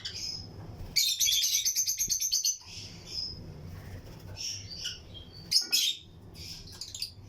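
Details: Lutino lovebirds chirping in a breeding colony aviary with other birds around: a loud run of rapid, evenly repeated high chips lasting about a second and a half, then quieter squeaks and a brief burst of sharp notes.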